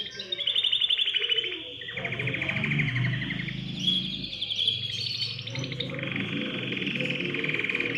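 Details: Canary delivering song meant to set other birds singing: loud rolling trills and whistled tours over a low rumbling background hum.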